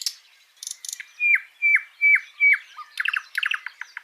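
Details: Wild mugimaki flycatcher singing vigorously: four clear whistled notes, each sliding steeply downward, about half a second apart, framed by short dry chattering and ticking notes.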